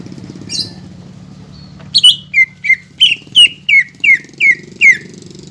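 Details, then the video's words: Greater green leafbird singing steadily, offered as a lure to make a silent caged bird sing: after a short soft note, a regular series of about ten loud slurred whistles, nearly three each second, over a low hum. "PANCINGAN CUCAK IJO GACOR BUAT CUCAK IJO MACET BUNYI,MALAS BUNYI"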